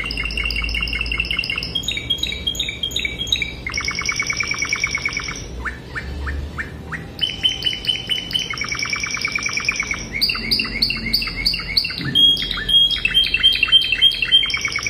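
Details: Classic song of a Spanish Timbrado canary, played to teach young birds: a string of varied phrases, fast metallic rattles, bell-like repeated notes and brief high whistles, with short pauses between bursts.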